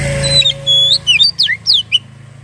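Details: Oriental magpie-robin (kacer) song used as a lure to prompt a bird to start singing: loud, clear whistled notes, some sweeping up, others sliding down, in quick varied phrases, over a steady low hum with a faint tone early on.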